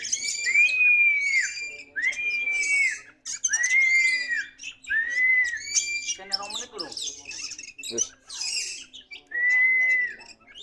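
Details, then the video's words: Kacer poci, the pied Oriental magpie-robin, in lively song: a series of six arched, sustained whistles with a pause and a brief burst of scratchy notes midway. "Kacer Poci Mantap di Lepas Masih Gacor"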